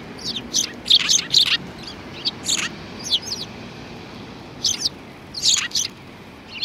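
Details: Sparrows chirping on 2 January 2019: short, high, bright chirps in loose clusters of two or three, separated by brief pauses, over a soft steady background hiss.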